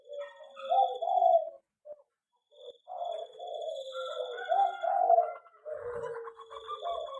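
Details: Aviary-kept zebra dove cooing: an opening rolling phrase, short isolated notes after a silent gap, then a longer run of bubbling, tremulous coos, with a faint high whine in the background.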